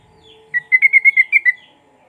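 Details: Sooty-headed bulbul lure song with cucak rowo material for silent bulbuls: a single rapid run of eight clear, rolling whistles in about a second, evenly paced, with a low constant hum beneath.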